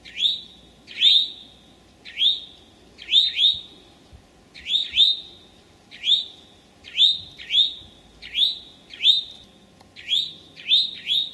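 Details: A late-morning Eastern towhee in May 2011, Memorial Forest in Sudbury or Desert Natural Area in Marlborough, Massachusetts, gives steady upswept whistled notes, singly and in close pairs, roughly every second.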